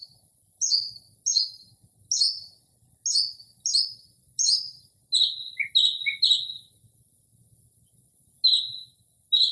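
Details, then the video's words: Northern mockingbird singing outside a home late at night in early spring, mimicking other birds: high downslurred chirps repeated in twos and threes, then lower notes, in quiet surroundings without urban noise. "Northern Mockingbird Mimics Different Bird Calls"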